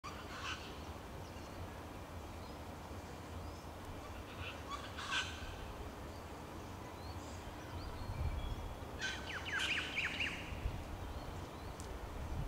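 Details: A New Holland honeyeater perched atop a Banksia at the Australian National Botanic Gardens, Canberra, gives sharp, scratchy calls and a quick chattering burst over steady low wind noise.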